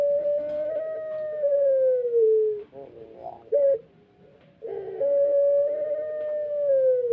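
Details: Two long drawn-out crows from a Pelung chicken still recovering its tail, each a sustained tone gently sliding downward, with a burst of rough gurgling notes between them.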